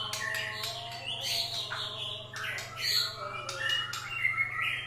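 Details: White-rumped shama song used as a lure to stir other birds' emotions: harsh squawks mixed with rapid sweeping, rising and falling whistles, over a steady low electrical hum.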